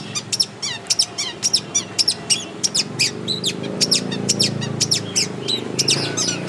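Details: Natural-habitat recording of a long-tailed shrike giving sharp, high, clipped notes and brief whistles in a loose rhythm, over a low background rumble.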